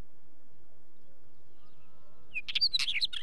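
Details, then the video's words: Wheatear song: after two seconds of near silence, a brief scratchy burst of chattering, crackling notes mixed with short whistles. "Wheatear song"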